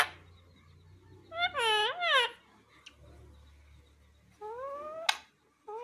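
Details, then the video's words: A talking parrot utters a few strained, nasal, speech-like phrases with rising, wavering tones, broken by short pauses; a faint hum sits underneath. "ये तोता सब कुछ बोलता है |Parrot Talking Video"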